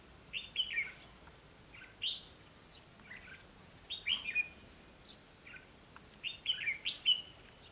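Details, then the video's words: Decoy red-whiskered bulbul at a trap luring wild birds, Vietnam, 20 May 2016: quieter fluted two- to four-note phrases, spaced about every second, over a calm background. "Bẫy đấu chim chào mào"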